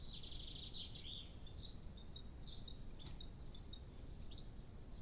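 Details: Eurasian blue tit gathering nest material while nest-building, Cambridgeshire, UK, 22 April 2015, morning: thin, high chirps, a quick trilled burst at first, then scattered single notes, over a steady low background rumble.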